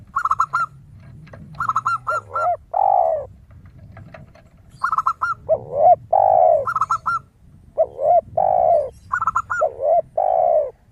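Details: Zebra dove song with a crystal tone, recorded as a lure. Repeated bursts of quick, high notes alternate with heavy, falling spotted dove coos over a low background hum.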